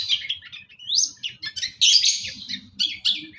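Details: Long-tailed shrike, East Java, singing in full isian gacor manner: a scratchy chatter leads into a sweeping upward whistle, then loud squeaky, rasping notes in quick bursts.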